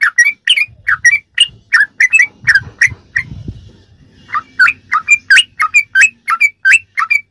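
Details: Sooty-headed bulbul in ropelan song, a tutoring recording for kept birds: rapid chirpy whistles, a short lull filled by low rumbling noise, then the quick notes resume in paired bursts.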